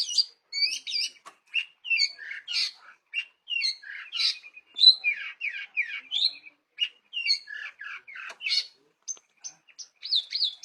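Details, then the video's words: Long-tailed shrike in lively song: a fast, varied stream of sharp chirps, harsh notes and whistled phrases, mostly high-pitched, delivered in short bursts with brief pauses, with no other sounds. "Burung Pentet Gacor"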